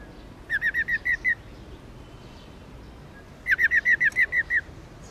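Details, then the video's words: Rapid 'ro ro' trills from a female black-throated laughingthrush, subspecies lugens, a call for stirring up male birds: two runs of seven to nine fast, even, chattering notes separated by a two-second pause. "Khướu Mái Ro Ro Kích Trống Căng Lửa Khướu Bạc Má Mái Ro , Tiếng Chim Khướu Bạc Má Mái"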